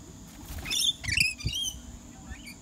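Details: Rainbow lorikeets at the Australian Reptile Park in Australia give a cluster of sharp, high screechy chirps and twittering notes. Low rumbling handling noise runs underneath.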